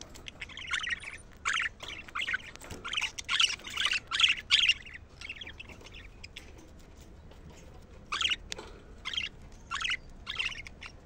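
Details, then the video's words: Budgerigar chatter played to rouse birds and encourage hens to breed: lively clusters of raspy, squeaky warbling notes in uneven bursts, pausing midway before resuming. "أجمل صوت لتهييج طيور البادجي ناار وتحفيز الإناث البادجي على التزاوج"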